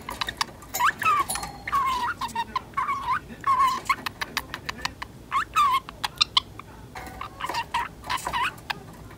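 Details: A 10-month-old female pet budgerigar chatters, mimicking the talk of another budgie in the household: rapid bursts of squeaky, warbling syllables with short clicks and buzzy notes, pausing briefly between phrases in a quiet room.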